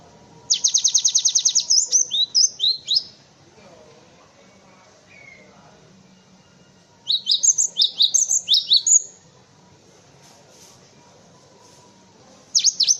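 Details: Cinereous tit song recorded as a tutor for other cage birds: opens with a fast, even trill of high notes, then bouncy high whistled phrases in bursts separated by several seconds of near silence.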